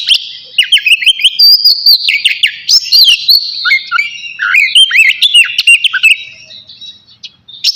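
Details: Navy-type oriental magpie-robin in full song before its bath, pouring out high, varied whistles, quick up-and-down slurs and dense chattering bursts with almost no pause.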